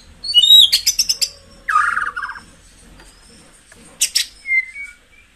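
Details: Song of a white-rumped shama, played to stir caged birds into top condition: rapid chattering trills, a lower rolling warble, then a sharp burst and a falling whistle, with short quiet gaps between phrases.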